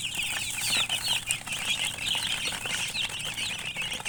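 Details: Many baby chickens peeping together in a dense, continuous chorus of rapid, high, short chirps that overlap without pause.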